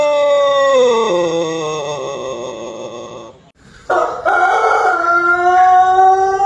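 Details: Long melodious crow of a Pelung chicken, an Indonesian ornamental breed from Cianjur, West Java: one drawn-out harmonic crow slides gradually downward for about three seconds, then after a short pause a second loud, sustained crow starts and carries on to the end.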